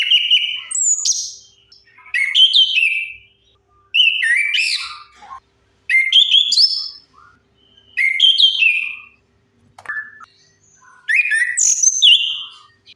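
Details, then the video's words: Orange-headed thrush song used as a lure to make silent birds sing: seven loud whistled and warbled phrases, about every two seconds, each sliding up and down with varied notes. "Suara pancingan AMPUH 100% untuk Anis Kembang Macet Bunyi"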